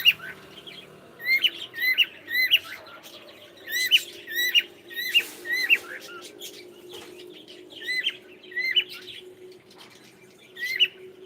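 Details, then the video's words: Cockatiel kept as a pet, saying good morning, gives loud, clear whistled notes that each bend sharply upward, repeated roughly every second in groups, over a steady low indoor hum. "ShonaTheCockatiel is saying gud morning"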